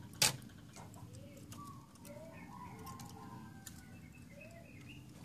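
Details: Zebra dove (perkutut) being trained to sing actively. It gives soft, low cooing notes in short rising-and-falling phrases about a second apart. Faint high chirps of other small birds and scattered clicks sound in the background.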